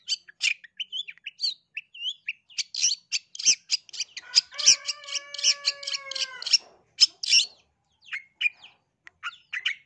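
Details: East Java long-tailed shrike lure recording: busy, irregular high chattering notes, with a stretch of long steady whistled tones in the middle, then sparser short chirps.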